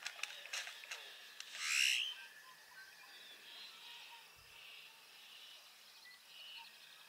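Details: Great-tailed grackle at Burrows Pond, Sac County, Iowa, gives one loud, harsh, rising sweep after a few sharp clicks, while softer background birdsong continues throughout.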